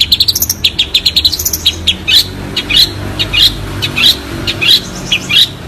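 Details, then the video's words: Clear long-tailed shrike song for training birds: a fast series of high descending chirps, then slower bright buzzy chips repeated roughly twice a second. "Burung Cendet Suara Jernih"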